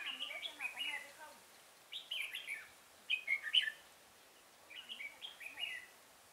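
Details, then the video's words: Red-whiskered bulbul song during trapping with a decoy bird at Chùa Hương, 5 March 2018: bursts of bright, warbled phrases, rising and falling, repeated in short groups with pauses, in quiet surroundings. "Bẫy chào mào Chùa hương"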